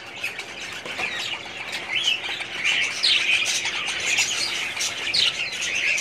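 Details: Budgerigars in a breeding colony, a dense chorus of high chirps, squawks and warbled chatter from many birds at once, with brief rising whistles standing out.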